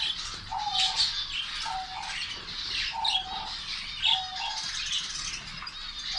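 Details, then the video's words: Zebra finches kept as a colony in Saudi Arabia, eating egg food, chatter in a continuous mass of high chirps with repeated short lower tonal notes about once a second and occasional wing flutter. "zebra finch colony"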